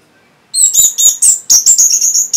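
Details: Orange-headed thrush responding to a lure sound, singing a rich run of very high, varied, slurred whistled phrases in quick succession.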